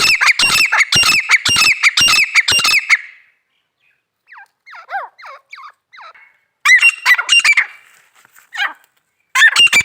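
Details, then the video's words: Female grey francolin giving loud, rapid harsh squawking notes for three seconds, then softer rising chirped notes, followed by more bursts of harsh repeated calls. "female teetar ki awaz"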